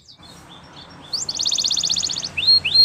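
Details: Belgian canary singing as a teacher for preschool canaries: soft scattered notes, then a fast even rattling trill and a few rising whistled slurs.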